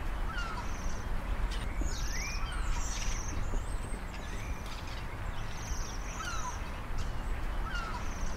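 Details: Waxwing on the Isle of Man, taken with a Zoom H1 recorder; high, tinkling trills recur every second or two alongside lower, brief upslurred chirps, set against a steady low background drone.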